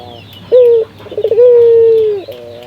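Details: Barbary dove of the local type, played as a lure so other doves start singing, gives a sharp opening note, a short rapid stutter, then one long, smooth, slightly falling coo.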